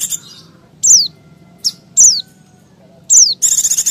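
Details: Noisy white-eye used to draw in wild birds. Piercing down-slurred notes repeat every second or so, closing with a rapid buzzy rattle.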